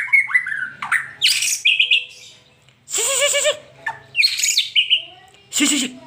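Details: White-rumped shama, fast song used to stir a caged pet shama: looping slurred whistles, then a harsh raspy note rich in overtones, and loud broadband bursts between quieter gaps, over a low hum.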